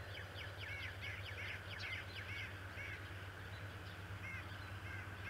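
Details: Adult male bald eagle, Decorah, morning of 11 March 2018, with feather and grass stuck to his beak, giving a burst of sharp, squeaky descending chirps, some doubled, spaced irregularly, backed by constant mechanical hum.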